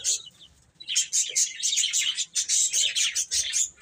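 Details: Eating, playing chicks open quietly, then burst into a loud, steady stream of rapid high peeps overlapping one another.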